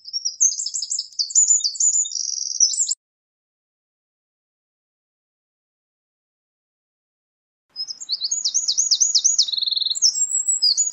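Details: Eurasian wren sings two strophes separated by a five-second pause, each a fast, high-pitched outpouring of sharp notes with a prominent rattling trill.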